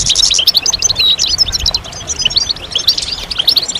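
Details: Brief stretch of European goldfinch group chirping, mating and readiness calls to prompt males to sing: bright, tinkling twitters and fast high chirps packed closely together.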